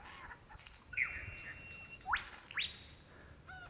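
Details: Calling for his mate in Victoria's Dandenong Ranges National Park, February 2016, a lyrebird gives a few spaced notes: a long level whistle, then two sharp rising sweeps, over quiet forest background.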